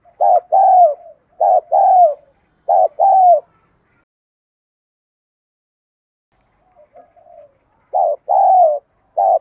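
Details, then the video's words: Decoy spotted dove luring wild doves with 'đồng gù đấu thúc' calling. Three quick two-part coo phrases, then several seconds of near silence with soft murmurs before the cooing resumes. "Cu gáy mồi ĐỒNG GÙ ĐẤU THÚC GỌI bổi nhanh nổi"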